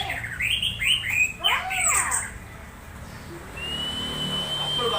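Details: An excited orange-headed thrush giving odd sounds meant to lure other thrushes into singing; arched, swooping whistles tumble downward in quick sequence, followed by a pause and a long flat high whistle, over faint low hum.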